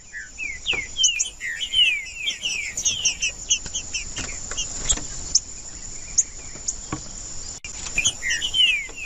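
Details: Green-winged saltator song, used to warm up a cold bird for tournaments: a run of quick descending whistled slurs early on, scattered sharp high notes, and a final pair of falling whistles, with a constant shrill background hum.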